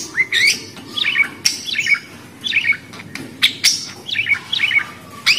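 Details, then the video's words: Budgerigar uttering short, squeaky, downslurred chirps and twitters in small clusters, separated by sharp clicks and brief gaps. "Suara Burung Parkit Australi"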